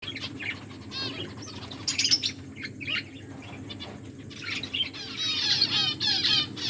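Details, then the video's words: Pet finches chirping while eating: bursts of high, thin twittering notes come and go in quick runs, with short gaps and a soft low background hum. "My beautiful finches eating and enjoying finches chirping sounds"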